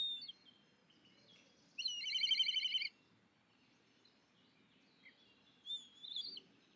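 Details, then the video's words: Black kite giving a begging call: one loud, quavering, tremulous trill lasting about a second, with a few faint thin chirps and soft background rumble before and after. "Black Kite Begging Call"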